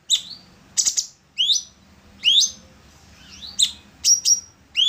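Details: Orange-bellied leafbird, locally called cucak cungkok, used as electronic master material for training songbirds: bright rising whistled slurs and sharp high chips, short phrases separated by brief pauses.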